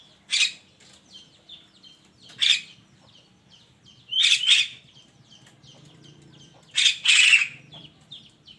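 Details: Morning song of a Javan myna: harsh, rasping bursts every couple of seconds, mixed with short clear whistles and faint background chirping.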